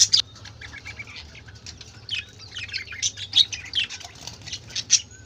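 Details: Budgerigar chatter from several colorful birds: busy high twittering and scratchy squeaks with sharp peaks, one loud squawk at the start and others spread through.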